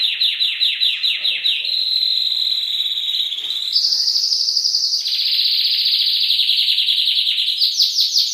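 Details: Masteran canary song with quick descending sweeps, then long rolling trills held at a steady high pitch. The roll jumps higher midway, drops back, and ends in renewed sweeps.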